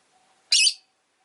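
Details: Rosy-faced lovebird chirp from two birds sitting together at the entrance: one sharp, harsh, high burst lasting about a quarter second, then quiet with a faint hum.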